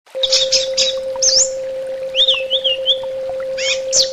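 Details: Orange-headed thrush song used as a therapy sound for birds: bursts of high chattering notes, then a slurred rising whistle and a wavering, looping whistled phrase, over a steady low electrical hum.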